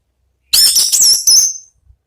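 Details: Orange-headed thrush in ngeplong-style song: a single short, very high, bright phrase of sliding whistled notes ending in a drawn-out thin whistle.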